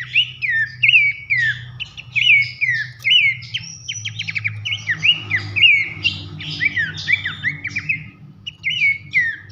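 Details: Loud nyiul and nembak masteran song of Abbott's babbler, used to train competition birds: a busy stream of whistled downslurred notes and brief buzzy trills, tumbling almost without pause for nearly ten seconds, with a faint low hum beneath.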